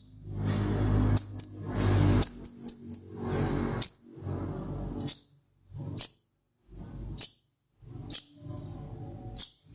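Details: Madura long-tailed shrike singing a sparrow and Java sparrow variation: thin high piercing notes, first in a quick cluster, then single notes about once a second, over low background rumble.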